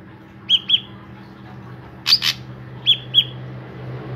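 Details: A drongo in full lively song, used as a lure to set other drongos singing: two paired whistled notes, then a louder harsh double note, then another whistled pair, all within four seconds, over a faint low hum.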